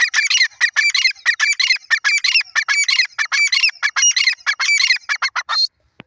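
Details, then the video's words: Pair of grey francolins in a fast, dense run of harsh, grating notes repeated rapidly and almost without pause, then ending abruptly with one thin final note. "teetar pair ki awaz,grey francolin teetar sound,teetar voice"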